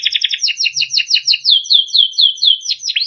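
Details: Training song from a timbrado canary: a quick stuttering trill followed by a steady series of clear downward-slurred whistles, roughly three per second.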